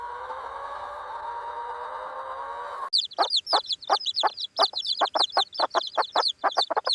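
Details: Hen chicks: thin, high peeps that slide downward, repeated rapidly in a busy jumble, mixed with short, low clucking pulses. A steady droning tone fills the first three seconds before the calling starts.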